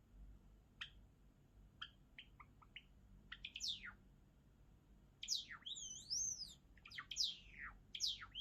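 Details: Java sparrow song building up: scattered dry clicks at first, quickening into a stream of steep falling slurs with a wavering, doubled whistle in the middle.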